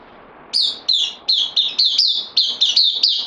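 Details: Bulbul, a newcomer on loan, recorded 12 September 2020: a steady run of bright, sharp chirped notes, each starting with a quick upward flick and falling back, repeated about three times a second against quiet background hiss.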